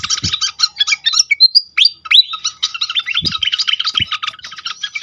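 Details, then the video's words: Pied fantail song used to lure others: fast, dry chip trains around a sequence of high sliding whistles, with a few soft low thumps in the background. "on konsLet sekali pancing bikin cepat gacor sikatan kipas lain"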